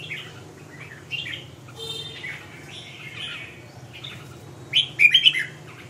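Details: Red-whiskered bulbul song: scattered short warbled and chirped phrases, mid-to-high pitched, ending in a louder burst of quick bright notes near the end, over a steady low hum.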